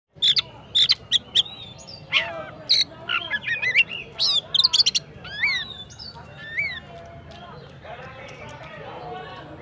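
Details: Oriental magpie-robin (kacer) presented as a fighter bird, singing loudly: rapid bursts of sharp chirps and whistled upslurred notes, varied and irregular, easing into softer warbling near the end over low background rumble.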